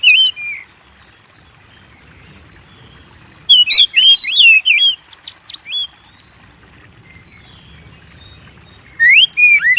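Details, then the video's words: Oriental magpie-robin singing briskly, a recording for drawing song from kept birds: a short whistled phrase, a long hush, a dense burst of twisting whistles and high clicks, another pause, then a fresh loud phrase. "Pancing Burung Kacer Gacor"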